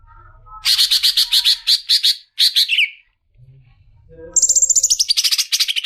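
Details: Leafbird song of repeated harsh chattering notes in quick groups, a brief pause, then a high rapid trill descending slightly in pitch.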